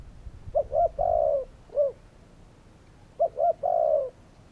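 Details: Two cooing phrases from a spotted dove, each with two short rising coos and a long smooth coo, the first followed by a separate brief coo, over low background rumble.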